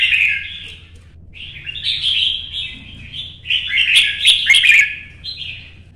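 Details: Early-morning red-whiskered bulbul performing solo contest singing while running between perches to excite rival birds: rich, buzzy-edged warbled phrases rising and falling, peaking in a loud clicking flourish before a short final note.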